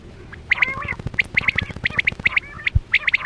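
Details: Short burst of Chora quail calling used to lure birds into nets: quick, bright, high paired notes in rapid succession, with a low thump near the end.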